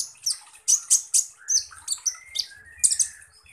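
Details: Van Hasselt's sunbird, a species said to mimic other birds fluently, gives a fast run of very high, sharp, squeaky chirps in tight bursts, with a few thinner whistled notes between them.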